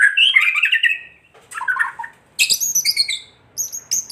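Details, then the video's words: Lure song of a white-rumped shama in kretekan style, aimed at making other shamas emotional and vocal: loud rolling warble, then lower chattering notes, then a sharp series of high, piercing chips. "Kretekan murai batu gacor AMPUH memancing murai batu agar EMOSI"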